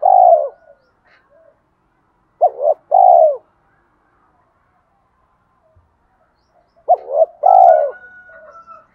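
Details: Spotted dove cooing as a full song for luring and provoking wild doves. Low mellow coo phrases come in short bursts of two or three notes, separated by long pauses, with a faint higher thin tone near the end.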